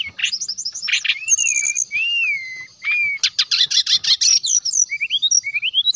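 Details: Brown-chested jungle flycatcher, singing vigorously to call out other flycatchers: long smooth whistled slurs, a buzzy trilled stretch, then a series of short rising notes.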